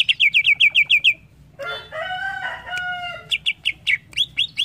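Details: Greater green leafbird song for training young birds to sing: a crisp run of eight even chirps, a harsh nasal rasping phrase, then more spaced, bright, rising chirps.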